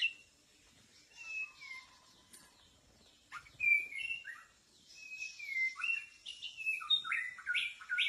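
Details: White-rumped shama used as a decoy to lure birds in a bamboo forest: scattered clear whistled phrases, soft at first, then louder rising and falling slurred notes in quick varied sequences.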